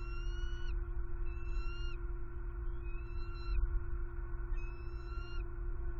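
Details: Hungry eaglets of bald eagle in a Southwest Florida nest, February 2021, one sibling attacking the other while awaiting food; four drawn-out whistled calls, each ending in a slight downward slur, about every 1.5 seconds over constant low hum.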